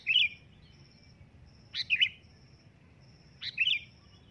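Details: Sooty-headed bulbul calling loudly with three rich, bubbly chirping phrases about 1.7 seconds apart, each a quick rising note into a rolling double chirp, over low background rumble and a thin high tone.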